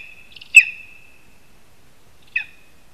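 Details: Two high, sharp yelps, the first louder with a thin drawn-out tone, from a Lesser spotted eagle at a Latvian spruce nest during a rat prey handover in August 2021, otherwise quiet.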